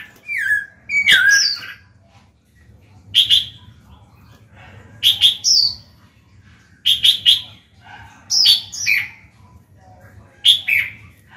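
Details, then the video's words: Caged black-throated laughingthrush song used to get newly caught birds singing: short high, clipped whistled notes in spaced bursts roughly every two seconds, after an opening slurred whistle, over quiet background hum. "Khiếu bạc má chuyền hót kích bổi mở mỏ ngay."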